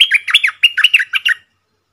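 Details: Red-whiskered bulbul from the wild, singing hard at a caged decoy before flying off. A loud, tight phrase of rolling, slurred whistles rising and falling, eight or so notes packed into under one and a half seconds.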